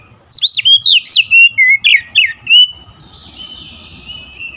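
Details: Agitated oriental magpie-robin delivering a rapid volley of about nine loud, bright whistled notes, then fading into a faint, thin warble.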